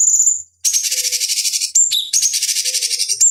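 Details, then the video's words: Cucak cungkok bulbul used as a master recording for training fighting birds: a high thin whistle, a short gap, then long harsh buzzy rattling trills with sharp whistled notes between them, and a faint low tone. "Masteran Pancingan Cucak Cungkok Ampuh Untuk Terapi Dan Masteran Burung Petarung"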